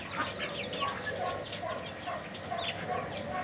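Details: Several Mexican speckled bobwhite quail give soft, short clucking and peeping notes, overlapping at about two per second, over a steady background hiss.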